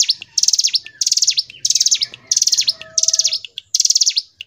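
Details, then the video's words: Hill prinia in full 'gacor ngebren' song: a continuous series of high, dry, stuttering bursts, each a rapid string of ticks lasting under half a second, with a faint thin whistle in the background. "Masteran Ciblek Gunung | CIGUN | GACOR NGEBREN • SUARA BURUNG CIGUN"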